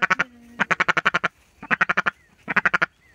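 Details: A female Indian Runner duck demanding dried worm treats gives three rapid bursts of loud, nasal quacks, six to eight quacks per burst, with brief pauses between.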